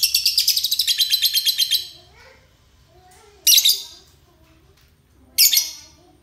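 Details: Ngekek-style chatter from a euwing lovebird used as a master singer: a fast, rasping stream of shrill notes cuts off, followed by two separate harsh squawks after a pause, with faint low sounds in the background.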